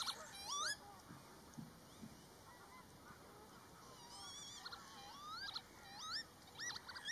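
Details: Pied avocets in a breeding colony during mating season, known for aggressive chasing of black-tailed godwits: scattered clear, rising and looping whistled calls from several birds, some overlapping, over steady background hiss.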